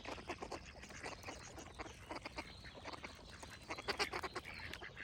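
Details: Ducks give a stream of harsh, buzzy quacks, several birds calling at once in uneven bursts, with a louder cluster near the end. High, thin birdsong chirps are scattered behind them.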